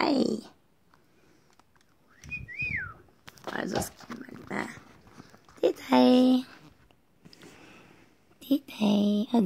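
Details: Pet macaw in a bathroom, following its owner and talking to the mirror: loud, harsh, harmonic vocal bursts near the middle and end, between stretches of human speech and small indoor noises.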